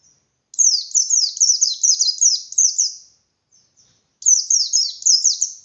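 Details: Bustomi white-eye belting out ngalas-style song, used to stir other white-eyes into singing back more fiercely. A fast, bright string of falling chirps lasts nearly three seconds, a pause follows, then a shorter volley.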